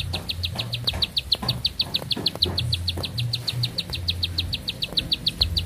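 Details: Bar-winged prinia in sustained song: a continuous rapid sequence of sharp high chips, evenly spaced, over a faint low hum.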